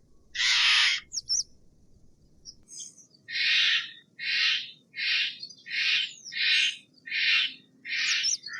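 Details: Steller's jay: one loud raspy scream, a pause, then a rhythmic string of seven hoarse, scratchy notes about two-thirds of a second apart, with light high squeaks between them.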